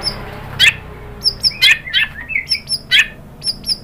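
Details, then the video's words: White-rumped shama provoking song, full of borrowed phrases: sharp explosive chips and short buzzy notes spaced roughly half a second apart, mixed with brief high whistles, over a quiet background. "PANCINGAN MURAI BATU GACOR bikin EMOSI jadi NYAUT BONGKAR MATERI ISIAN ¦ SHAMA BIRD"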